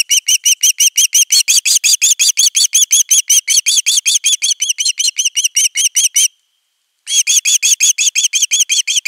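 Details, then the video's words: Nest 3 osprey chick, filmed by live nest camera on 10 August 2021, calling persistently for fish until an adult brings a whole fish: a dense, unbroken stream of fast chirps, one short break, then more. "Myy huutaa pitkään kalaa"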